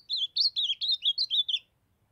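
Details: Young ultramarine grosbeak in brown plumage from Brazil's Nordeste delivers a lively run of about eight loud, swooping whistles, each rising then falling, completed in roughly one and a half seconds with a quiet background.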